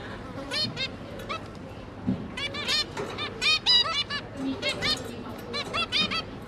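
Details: Zebra finches, a pair of parents with three newly hatched juveniles, kept as pets while the parents busily feed their young; short nasal stacked calls in scattered bursts, some overlapping, over a low indoor hum.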